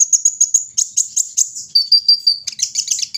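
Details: Piercing, evenly spaced chirps from a brown-throated sunbird out in the morning air, followed by a steady line of slightly lower whistled notes and a jumbled high twitter at the end.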